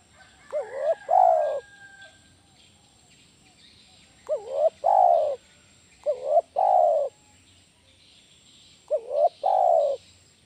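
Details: Spotted dove, a loud calling bird used as a lure to train other doves, giving four low cooing phrases, each a short hooked note followed by a longer, steady, slightly falling coo, spaced roughly two to three seconds apart.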